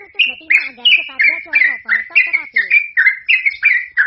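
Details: Singing yellow-vented bulbul (trucukan), its long rapid song kept as a lure for other birds. Bubbly downslurred whistles come about three per second over a lower buzzy, harmonic sound early on.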